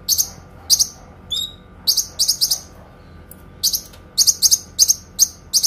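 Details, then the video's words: Kinoi song used to train songbirds: high, sharp chip notes in pairs and clusters, one thin wavering whistle early on, then a quick run of bright doubled chips. "TEMBAKAN PANJANG, SUARA JERNIH BURUNG KINOI"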